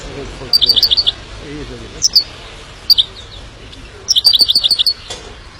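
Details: Himalayan goldfinch song made of quick strings of high, sharp chirps, five or six notes per burst, with single notes between bursts.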